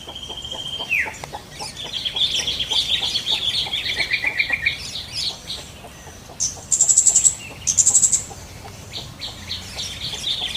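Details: Yellow-vented bulbul singing in the wild, with varied bubbly warbled phrases at mid-high pitch and quick chattering notes. Other birds chirp throughout, including loud high whistled bursts near the end.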